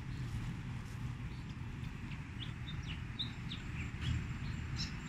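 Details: Fantail song played as a lure for trapping birds: short, thin whistled notes, some rising and some falling, scattered irregularly over a constant low rumble like an engine or vehicle.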